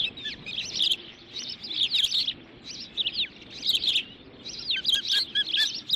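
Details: Dunrovin nest ospreys, June 2013, during a dominance display as the mother delivers nesting material: shrill chirping series with downward-slurred notes, several softer lower peeps near the end.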